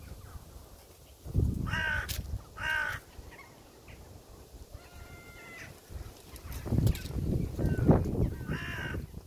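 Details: Crow sounds: two loud, rasping caws in quick succession, a thinner drawn note, then more harsh calls, one after another, with a low rumble beneath.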